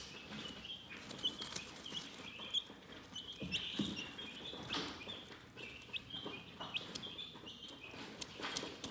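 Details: Relaxing chicken chirping, fainter high peeps scattered across the stretch, partly masked by rustling, shuffling and brief thumps.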